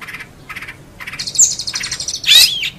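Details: Long-tailed shrike song recorded as a training recording for songbirds: short bursts of buzzy, rapid chirps, then a brighter burst of high notes ending in a loud rising squeal.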